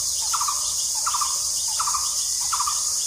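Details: A Blue-throated barbet calls in spring, repeating a short, rolling, low-pitched phrase about every three-quarters of a second, over a loud, steady insect drone.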